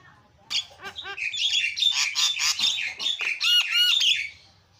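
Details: Asian pied starling (jalak kebo) in a very noisy, loud song: dense chattering bursts of harsh squawks, rasping notes and clear whistled upslurs, continuous for about four seconds.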